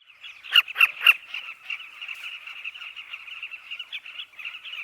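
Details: Southern carmine bee-eaters at a nesting colony in a riverbank, a constant chatter of rolling, burry chirps with three loud, sharp calls close by near the start and a dense chorus of many birds behind.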